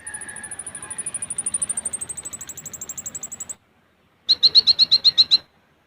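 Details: ['Olive-backed sunbird in full besetan and rapid tembakan song, used as a master recording for training caged birds: a long run of thin, very high notes slowly falling in pitch, then a quick burst of about ten sharp, ringing notes.']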